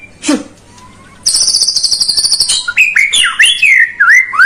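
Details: White-rumped shama song for rousing a lazy bird: one sharp descending note, a pause, a steady high rattling trill, then fluid whistled phrases rising and falling.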